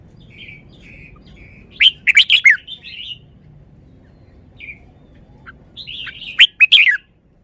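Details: Song phrases from a caged red-whiskered bulbul: quiet whistled notes lead into a loud rolling burst of five or six rich chirps, a pause with one soft note, then another loud warbled phrase.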